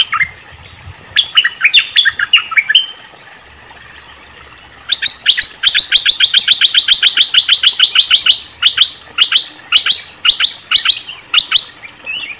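Cream-vented Bulbul giving bubbly, chirping notes: a short burst, a pause, then a long run of quick repeated chips over a faint steady high hiss.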